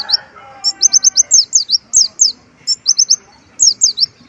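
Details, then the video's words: Sunbird in full song with a repertoire filled with white-eye song: bursts of high, sharp, downward-slurred notes, several in quick succession, separated by short pauses. A faint low murmur sits underneath early on. "konin gacor isian pleci, suara asli pun hilang"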